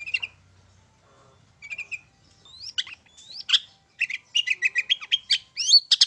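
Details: Long-tailed shrike singing from one perch, used as a lure to provoke other birds to sing: scattered high chirps give way to rising whistled slurs, then a fast run of sharp repeated notes.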